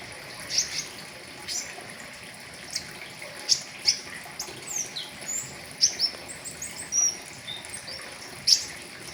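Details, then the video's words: Caged flowerpecker (pentis raja) singing a full riwikan-style song used for tutoring other caged birds: sharp, very high thin ticks and short whistled notes, scattered irregularly every second or so over a steady soft hiss. "Terapi pentis raja riwikan full isian , cocok buat masteran"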